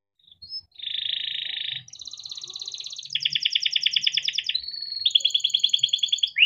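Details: Young singing canary, kept and reared in captivity, song used as a master to train young canaries; a brief chip, then long even buzzy trills, each a rapid run of identical notes, shifting to higher and faster rolls.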